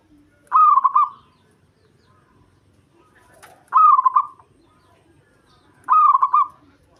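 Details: Local Javanese zebra dove, a male in breeding mood, singing to provoke a rival: three loud, warbling, trilled cooing phrases, each under a second, repeated about every 2.6 seconds against a quiet background.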